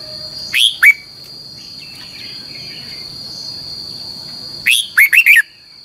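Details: Red-whiskered bulbul singing a double, long twisting training song for teaching other birds. A clipped two-note start, then after about four seconds a full phrase of four quick slurred whistles, with a steady high whine throughout.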